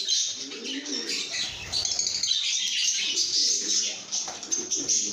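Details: Cheerful lovebirds give rapid, overlapping high squeaky chirps and twitters, a restless chorus with faint lower warbling notes.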